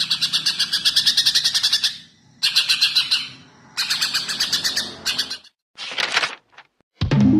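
A Greater Green Leafbird delivers rapid, bright chattering phrases, fast pulsed notes repeated in bursts of about two seconds with brief pauses, ending with a short harsh note.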